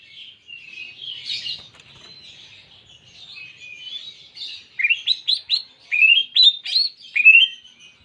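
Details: Greater green leafbird song with canary imitation: quiet, varied twittering and short whistles, building into a burst of loud, sharp rising chirps in quick clusters near the end.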